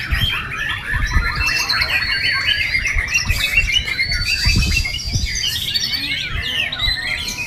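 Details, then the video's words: White-rumped shama singing a rich, continuous stream of varied whistles, quick trills and sliding notes in overlapping phrases, over a steady low rumble of background noise. "murai batu JJ"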